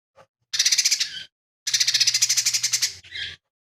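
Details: Lesser green leafbird delivering rough song material with mimicked sparrow-fight, kingfisher and cililin notes. Two strong bursts of rapid grating rattle, the second longer, end in a short drawn-out rasp.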